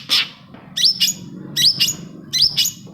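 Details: Long-tailed shrike song meant to prompt other shrikes: paired sharp chirps with upward-bending whistles, repeated three times at steady spacing over a low murmur.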